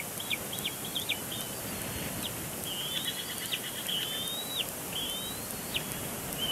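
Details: Bald eagle eaglet squeeing at its father at a Big Bear Lake nest on 27 April 2022, keeping up its complaints after he moves to a branch. It gives a stuttering run of short high chips, then longer whistled squeals with downward flicks.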